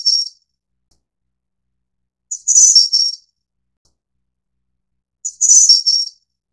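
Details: Snowy-browed flycatcher, Taiwan's endemic subspecies Ficedula hyperythra innexa: thin, very high phrases, each a brief piping note then a brighter three-part jingling burst, repeated about every three seconds against total silence.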